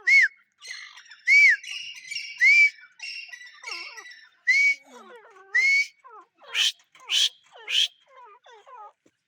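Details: Grey francolin (teeter) calling with arched whistles followed by clipped rattling notes, later sharp high bursts, mixed with thin, twittering calls of other small birds in the background.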